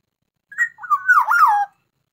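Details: Black-naped oriole kept as a songbird, described as in full song; a brief mellow fluty phrase of slurred whistles, dipping and rising, lasting about a second, clean with no background.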